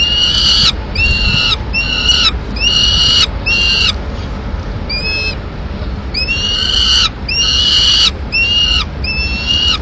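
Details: Peregrine falcon nest, Madrid, 21 May 2016: the female feeds pigeon to two chicks. Rhythmic, hoarse, harmonic screeches about every 0.6 seconds; a short gap of quieter squeals, then the screeching series resumes.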